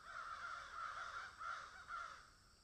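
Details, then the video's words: Crows calling in a field: overlapping harsh caws in four or five surging bursts, loud and grating, with a low hum beneath. "Crows Swallow and Egret in field"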